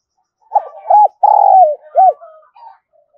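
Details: Continuous cooing from a spotted dove of the thổ voice type, used to prompt a decoy to call. One clear phrase: two quick arched coos, a long level coo sliding down, then a single rounded coo and a faint trailing note.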